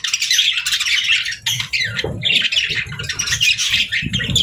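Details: Budgerigars kept as pets chirp without pause, a rapid, scratchy, twittering warble of overlapping notes with brief dips around the middle and a few soft low knocks underneath.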